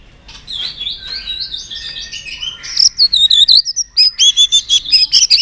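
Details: Trained white-rumped shama in excited song: soft warbled whistles at first, then loud high rapid chips and twittering trills repeated in quick bursts.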